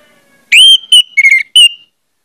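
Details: Orange-headed thrush singing a lure song meant to set other thrushes off: one short, loud phrase of rich whistles, a rising opening note followed by three slurred, ringing notes.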